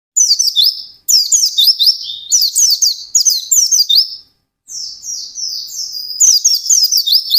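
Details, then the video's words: White-eye singing intensely: rapid high, bright chirping phrases of quick down-slurred and rising notes, delivered in dense bursts about one to two seconds long with brief silent gaps, all very high-pitched and clean. "SUARA BURUNG PLECI GACOR NGALAS CEPAT"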